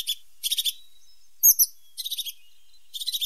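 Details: A sharp-nosed tit sings short high buzzy pulse bursts of four or five beats, broken once by two loud bright squeaky notes, in a quiet setting.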